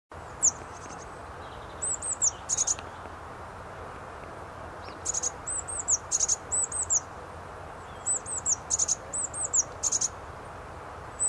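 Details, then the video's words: Eurasian blue tit singing in trees at a cemetery in Ivybridge on a warm, sunny day, 26 March 2019: short phrases of thin, very high arched notes every two to three seconds over a steady low hiss. "Blue Tit singing away"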